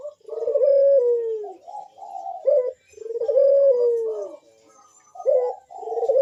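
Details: Deep bekur coo of a ringneck dove, used to draw other doves into calling: long smooth falling coos broken by short rippling notes, with the phrases repeating every few seconds.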